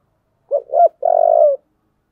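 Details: A single loud phrase from a spotted dove with a 'giọng thổ' voice, stirred up for fighting: two quick, rounded coos and then a long, steady, slightly falling low coo, in clean silence.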